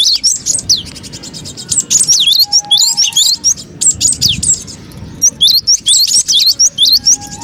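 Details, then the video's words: Cinereous tit sounds played as a trapping lure: quick strings of thin, high whistled notes with fast up-and-down sweeps, arriving in dense bursts separated by brief pauses. "suara pikat burung gelatik batu ribut"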